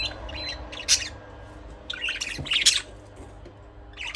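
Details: Budgie chirps arrive in scratchy, high bursts, a sharp one near the start and a denser warbling cluster later, over a faint steady low hum.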